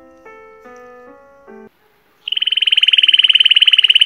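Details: A Belgian canary, presented as a Timbrado example, gives a few short piano-like tones, then a hollow, metallic rolling 'rodado' trill, a fast even 'ro-ro-ro' of about ten pulses a second.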